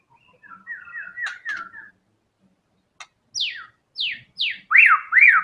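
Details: Murai batu (white-rumped shama) in fighter song used as a lure and therapy for songbirds. Soft looping whistles with a few clicks lead into sharp, falling high whistles, then strong swooping notes.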